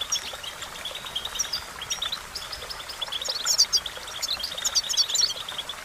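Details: European goldfinch song meant to stimulate a caged bird to sing: scattered chirps build into a louder run of sharp, tinkling trills near the end, over a background hiss.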